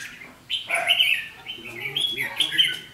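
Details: Red-whiskered bulbul used as a decoy in a trap, singing its fighting song to challenge and intimidate another bird, recorded 7 July 2016: two bursts of quick warbled, whistled notes, the second rising at the end, with faint low murmurs beneath.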